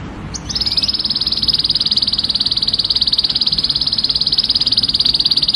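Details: Male canary singing to stimulate a female to mate: one long, fast, steady rolling trill, high and even, pulsing about three to four times a second for over five seconds after a brief opening note, with a faint low background hum.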